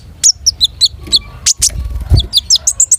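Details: Long-tailed shrike singing in lively form with a rich repertoire: short, separated, high downslurred chirps and whistles, broken by a brief burst of low rumbling noise partway through.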